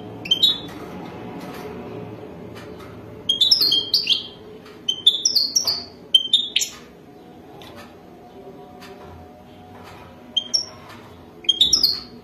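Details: Mating song of a wadani-type European goldfinch: spaced groups of quick tinkling and slurred notes, some sweeping downward, occurring in short bursts separated by quiet stretches of several seconds, with low hum behind.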